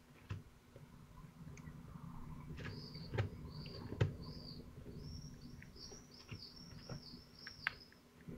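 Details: Several twelve-day-old falcon chicks in Théding on 22 June 2023 working at a big prey item. Short high whistles, then a quick string of arched, squeaky notes, with occasional sharp knocks and rustles.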